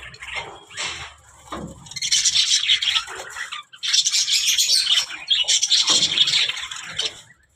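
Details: Talking budgerigars give soft, scattered chirps at first, then loud, continuous, raspy warbling chatter with brief dips, like a flock of small parrots chattering together.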